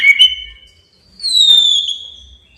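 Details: Male white-rumped shama calling out a rival to provoke it: brief whistled notes, a pause, then a long bright whistle sliding slowly downward, with a brief rasp in the middle.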